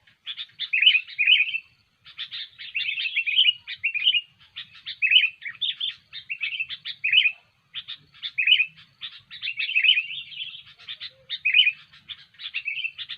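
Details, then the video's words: Sooty-headed bulbul song used as a trapping lure: repeated phrases of chattery, warbling notes, each about a second long, separated by brief gaps, sustained at a steady pace. "SUARA BURUNG KUTILANG GACOR"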